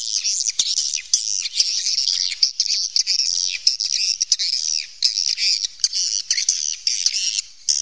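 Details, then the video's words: Cave swiftlets calling, a natural recording: continuous high buzzy twittering chatter from several birds, notes overlapping and wavering, broken by brief gaps and occasional sharp clicks. "suara panggil walet asli alami rekaman dari goa"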